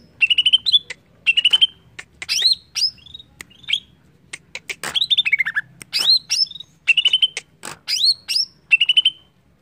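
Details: Song of a greater green leafbird, used as a lure to get leafbirds singing: short phrases of quick, even whistled notes, often ending in an upward flick, repeated about every second with clicky chips between.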